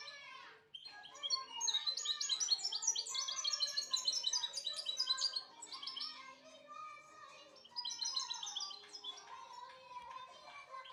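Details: Goldfinch song, a long, fast, bright jumble of high chirps and buzzy trills that swells in the middle. It eases briefly, then resumes with another rapid twittering phrase. Background is otherwise quiet.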